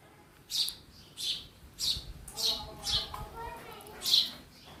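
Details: Sparrow calling inside a house: six short, bright chirps spaced under a second apart, with faint low voices murmuring in the background.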